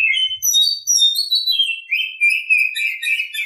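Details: Morning song of an Oriental Magpie-Robin, loud and unbroken: tumbling sweet whistles and trills that step downward in pitch, then settle into a busy, chattering warble for the whole stretch.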